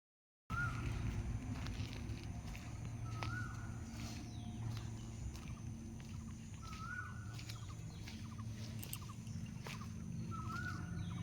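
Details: Asian koel at a flower nursery repeats its clear, rising, whistled 'ku-oo' (kuhu) call roughly every three seconds over a heavy low rumble of background noise.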